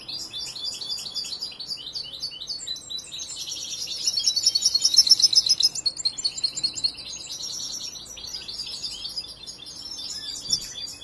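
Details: Young European goldfinch, born and raised by its keeper, still learning and not yet finished training its song: a rapid twittering of high chirps with a bright, buzzing trill swelling loudly in the middle, then steady chatter.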